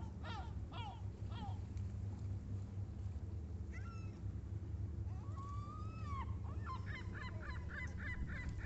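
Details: Gulls at Sorrento, Italy, crying with harsh harmonic yelps: short falling calls early, a long drawn-out wailing note midway, then a rapid run of clipped yelping notes, over a steady deep engine-like rumble.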